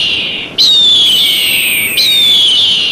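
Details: Eagle giving two loud, high, thin whistled screams, each starting abruptly and sliding slowly downward over about a second and a half, with the second following straight after the first.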